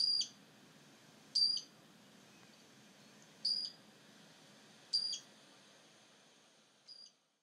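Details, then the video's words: Great grey shrike singing at Stjørdal, by Trondheim Airport, Norway, on 3 April 2019: short, high, pure whistled notes, sometimes doubled, spaced roughly one to two seconds apart, faint against a soft steady background hiss. "Great grey shrike Song, Raubwürger Gesang, Varsler sang, Varfågel sång"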